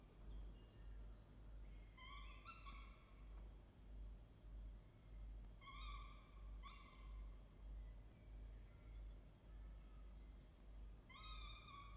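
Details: A peregrine falcon at a nest box gives short, harsh, nasal calls in clusters of two or three, a few seconds apart, over a steady low hum.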